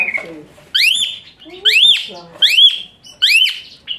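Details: Asian pied starling, high shrill song for training other birds: four loud upswept whistles, each sliding up and curling over, about one per second, with soft chatter between.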